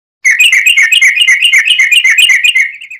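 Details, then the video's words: Yellow-vented bulbul in long rolling song, used as a lure to make captive bulbuls sing back: a rapid, bubbly chattering run of bright notes, about five per second, held for nearly three seconds, clean and close. "SUARA trucukan gacor ROPEL PANJANG pancingan trucukan agar bunyi"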